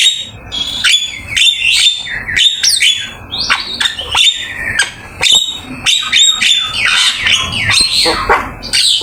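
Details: Lively Javan myna song for training other birds. Dense series of sharp chirps, high whistles and scratchy notes, repeated rapidly in varied phrases over several seconds.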